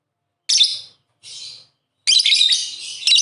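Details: Two pet lovebirds interacting affectionately; two short scratchy high chirps, then a longer rapid run of shrill, chattering notes toward the end.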